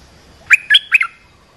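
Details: Three-note warbled call of an olive-winged bulbul, played to train young birds and lure wild birds. The notes come quickly, liquid and slurred, with the final note split into two descending parts.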